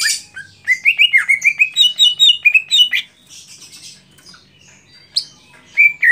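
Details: A Greater Green Leafbird, at the start of a singing competition, pours out a rapid run of bright, ringing whistled notes, rising and falling, then pauses before a couple of loud sharp phrases.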